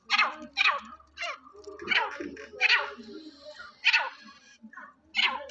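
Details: Sindhi black francolin, a fearless bird kept by a friend, calling indoors: harsh, grating bursts spread across a broad range, uneven and spaced about a second apart, with a low hum underneath.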